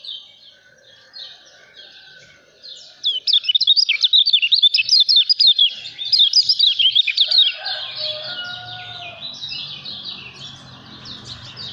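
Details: Lemon-bellied white-eye (kecial kuning) described as a prolific champion-candidate singer in nonstop 'ngejos' style. A fast burst of high, zigzagging twittered notes fills the middle seconds; a faint lower whistle sounds at the start and another near the end.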